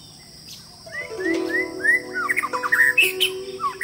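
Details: White-rumped shama singing a quick run of clear, slurred whistles, each note curving up or down, becoming busier and more varied toward the end, over steady piano-like music and a faint high hiss.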